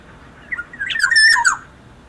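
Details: Black-naped oriole giving a short, harsh squawking burst lasting about a second, mixed with a few clear whistled notes. Quiet background.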